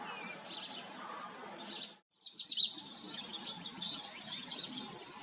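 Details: Black-chinned hummingbird (Archilochus alexandri), recorded in Texas or Arizona: a few scattered, high, thin chips, a small cluster near the middle, over a steady hiss of outdoor background noise.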